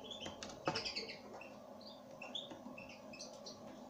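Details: Pine grosbeak, described as a mischief-maker, giving soft short whistled and chirped notes scattered through the moment, mixed with rustling, light clicks and a sharp knock early on.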